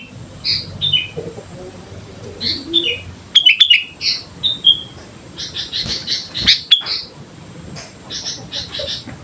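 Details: Actively singing sooty-headed bulbul used as a training lure: scattered clear whistled notes, then a quick run of sharp chirps mid-clip followed by more whistled phrases, with low constant rumble beneath.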